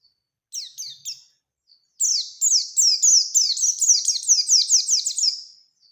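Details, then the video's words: Lure song of a Bustomi Oriental white-eye singing wild-style to challenge a rival. A few short high chips are followed by a sustained, accelerating roll of shrill downslurred notes lasting over three seconds. "Burung PLECI GACOR Ngalas Ngerol Nembak Mencari Lawan | Pancingan Pleci Cepat Nembak"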